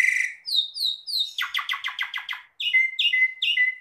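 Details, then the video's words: Asian pied starling gacor song: a buzzy note, three level whistles, a fast series of harsh rattling bursts, then repeated whistled couplets. "JALAK SUREN GACOR DOR DOR"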